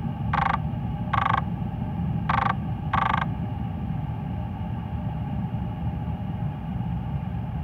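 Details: Chestnut munia at Hung Hom pier, Hong Kong, on 25 March 2020 gives four short, clipped call notes in the first three seconds, over a steady low rumble of traffic.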